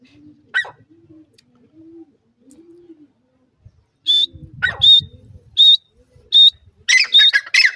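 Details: Jungli teetar, a wild francolin, gives short high whistled notes repeated about every three-quarters of a second, then breaks into faster, harsher overlapping calls. Soft low murmuring and scattered knocks sit underneath.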